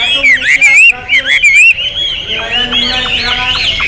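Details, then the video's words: Hwamei giving looping, wavering whistled phrases that rise and fall, followed by a softer stretch of thinner notes, with faint lower tones and some background chatter. "Hwamei Raja Tega Volume Dasyat"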